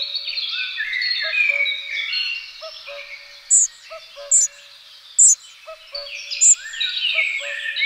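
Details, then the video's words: Two young spotted flycatchers being fed; short, sharp, very high calls ring out four times at intervals of about a second, over a dense backdrop of twittering birdsong and a faint low steady tone. "Jonge grauwe vliegenvangers worden gevoerd"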